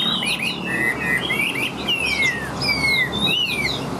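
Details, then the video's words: A Chinese hwamei sings nonstop, "like a machine," pouring out a fast, unbroken run of loud, clear whistles, each note sliding up or down, with a faint low hum behind. "Họa Mi Hót Như Máy"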